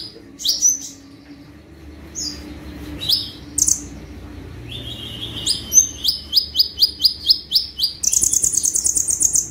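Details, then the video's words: Sunbird in active 'tembakan' song, used as a training recording for cage birds. Scattered sharp high chirps give way to a run of about a dozen rapidly repeated upslurred notes, ending in a fast shimmering high trill. "KONIN GACOR FULL TEMBAKAN"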